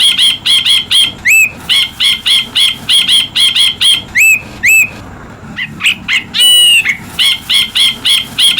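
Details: Ashy bulbul (Brinji Kelabu) chirping for use as a master tutor recording: fast runs of bright, ringing chirps repeated several per second, broken by a few upslurred whistles and a longer buzzy rising note, with low background rumble.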